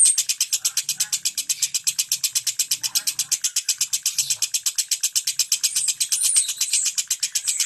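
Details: Caged lovebird in ngentik style, played to prompt silent lovebirds to sing: a fast, even rattle of high, sharp clicking notes, about eight per second, with faint low murmurs behind.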